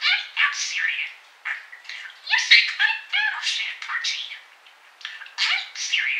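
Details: A young male pet parakeet chatters fast during a snowstorm on 8 Feb 2013, with traffic passing outside: warbling squeaks, clicks and buzzy notes, and mumbled mimicked words such as "baby bird" and "shiver me timbers" in short bursts.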